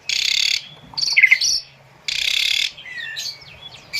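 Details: Asian pied starling song used as training audio for captive birds: two long harsh rasping hisses of about half a second each, separated by squeaky chirps and a short whistled trill, then faint chatter.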